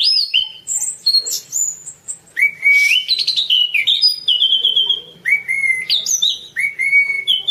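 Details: Orange-banded thrush song used as masteran: clear flute-like whistles held briefly then bending upward, mixed with a rough buzzy patch and rapid chirps.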